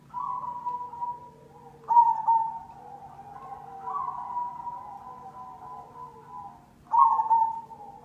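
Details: Repeated trilled coo phrases from a cemani zebra dove, a lure for prompting other doves to sing; loud bursts arrive roughly every few seconds with gentler, steady cooing between them.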